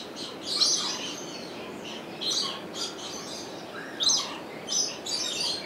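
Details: Captive rainbow lorikeet at Opole Zoo, Sony HDR-XR160E recording: scratchy, high-pitched shrieks in clustered bursts, some with short whistled tones mixed in, separated by brief quiet gaps.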